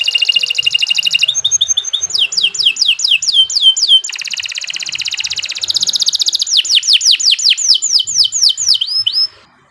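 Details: Sharp, continuous canary song meant as a training master for contest birds: fast trilled rolls alternate with series of high falling whistled notes, ending abruptly.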